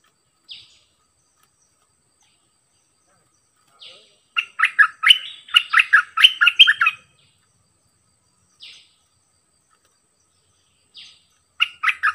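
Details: Bulbul used as a decoy, singing many songs: a few isolated high notes, then a burst of about three seconds of quick, bubbly whistled phrases. Long quiet gaps with single notes follow, and a new phrase starts at the end.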